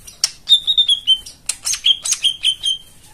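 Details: White-eye song used as therapy to prompt silent birds to sing: rapid series of high, clear whistled notes stepping downward, then a second slurred run, with sharp chip notes in between.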